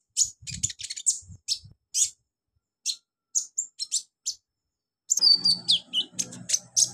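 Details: Olive-backed sunbird training song for beginner birds: a run of sharp, high clicking chirps, a short pause, then denser rapid twittering with a thin descending whistle, faint low rumble beneath.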